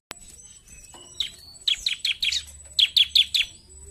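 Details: Bar-winged prinia singing hard in 'gacor narung' mode: soft faint notes at first, then a quick, evenly paced string of bright descending chips, about seven in a row, over a low hum.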